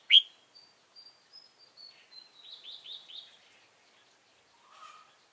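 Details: Red-whiskered bulbul serving as a trapping decoy, 15 November 2017: one loud sharp chirp, then a long soft series of thin high whistles and quiet twittering notes, ending with a faint lower murmur.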